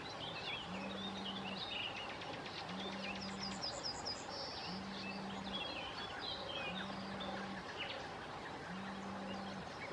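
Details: Sand martins at a colony on the Bečva river, Czech Republic, 3 June 2018; continuous rasping twitters from several birds, over river noise and a low hum pulsing about every two seconds.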